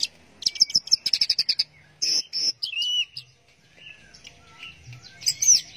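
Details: Orange-headed thrush in teler song: a fast burst of dry ticking notes gives way to sustained high buzzy whistles, then a smooth falling whistle and softer warbles.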